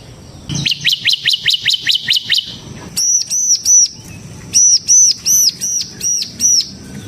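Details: Ciblek (bar-winged prinia), semi type, used as a lure and master for training birds; a fast run of high downslurred chips, then slower ringing arched whistles repeated about twice a second.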